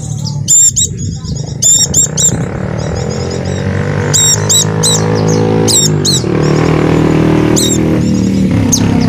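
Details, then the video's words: Javan dakun white-eye lure song to start silent caged birds singing: quick groups of high, sharp chirps repeated every second or two, over a steady loud low droning background noise. "pleci macet akan ikut bunyi dengar pancingan ini | pleci dakun jawa"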